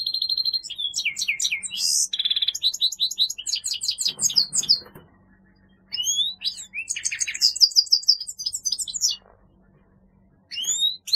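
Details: Grey-headed goldfinch (Carduelis caniceps) singing: rapid twittering of high chirps, trills and short whistles, in bursts broken by brief pauses, with a faint low hum beneath.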